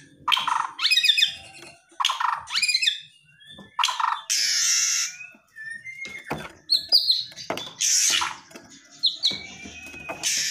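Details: White-rumped shama giving aggressive song full of rapid bursts, used to provoke silent shamas into responding; harsh broadband bursts alternate with short whistled and chattering phrases, irregular and loud with brief pauses.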